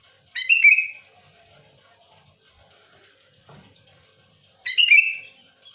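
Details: Sooty-headed bulbul calling loudly and actively to challenge rivals: two rich, liquid phrases with a fluty downslurred ending, four seconds apart, a soft knock between them.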